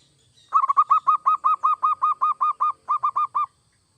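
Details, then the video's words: Zebra dove (perkutut, local or Bangkok) delivering a steady train of about fifteen soft, rhythmic coo notes with one short hitch, played to stimulate other doves to sing; faint low hum behind. "Suara perkutut gacor seperti ini AMPUH bikin perkutut anda cepat bunyi"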